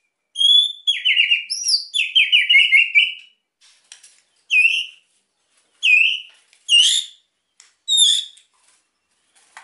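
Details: Energetic white-rumped shama song meant to stir quiet birds to sing: a quick descending run of whistled notes, then loud, separate, looping whistled phrases roughly every second, with faint clicks between them and no other sounds.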